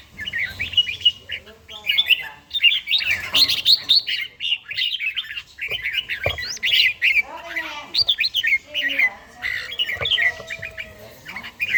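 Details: Morning song of a red-whiskered bulbul during daily singing practice: dense, overlapping whistled and warbled notes running almost continuously, with brief sharper chirps mixed in.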